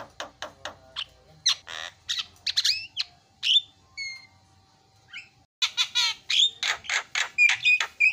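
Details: Lure calls of a starling meant to set other birds calling: a run of sharp clicks, rising whistles and brief pure tones, a short pause, then a dense burst of harsh chattering notes with whistled slurs.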